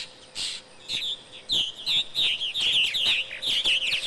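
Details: Purple martins giving quick liquid chirps and gurgling warbles, several notes a second in short bursts, over a faint steady hum.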